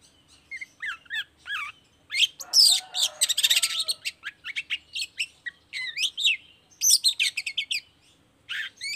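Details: Lively long-tailed shrike singing as a lure to prompt other shrikes to sing: wavering whistled phrases, a dense harsh chattering stretch, then rapid clicking chips and looping high notes in quick succession.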